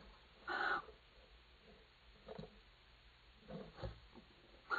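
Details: Barn owl pair together on a nest plank, 23 April; one loud, short, rasping hiss, then quieter scattered breathy sounds and faint rustles.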